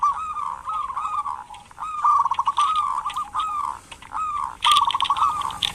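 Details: Local zebra dove calls steadily, meant to stir lazy doves into calling. Repeated short, gurgling coo phrases of fast stuttered notes come one after another, roughly one per second.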